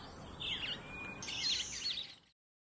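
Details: Jameson's firefinch, a rare visitor to a suburban garden in Pretoria, South Africa, gives soft, high twittering chirps for about two seconds, with one thin, level whistle among them, over a steady background hiss.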